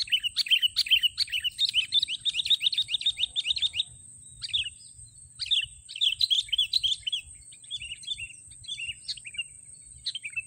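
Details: Sooty-headed bulbul recorded during bird trapping with snare sticks; dense bursts of rapid, bright chirps and twitters, several seconds long, separated by short pauses, over a steady high electronic whine.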